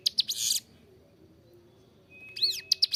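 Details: Hill prinia, locally ciblek gunung, singing clearly as a training master for captive songbirds: a high buzzy burst with sharp chips, a long pause, then an arched whistle and further chips.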